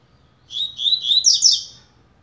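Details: Double-collared seedeater starting to warm up its song: a short phrase of quick, buzzy whistled notes that climbs to thin, high sharp notes near the end, lasting about one and a half seconds in a quiet room.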